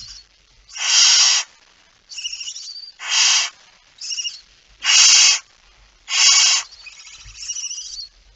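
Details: Barn owl carrying a mouse, Friesland, Netherlands, 2019: loud harsh hissing screeches alternating with thinner, buzzy, wavering calls, roughly one per second.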